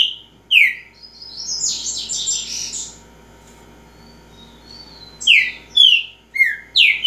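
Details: Green-winged saltator, repeating song style: one falling whistle, then a rough buzzy, scratchy passage lasting over a second, a quiet pause, and finally a quick run of four clear downslurred whistles.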